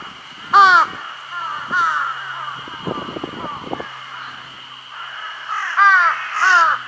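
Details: A large-billed crow, carrying food off to a spot where nothing will disturb it, gives four harsh, nasal caws, two spaced a second apart, a pause, then two more, over a steady high hum and soft clicks, Shiki no Mori Park, 6 June 2022.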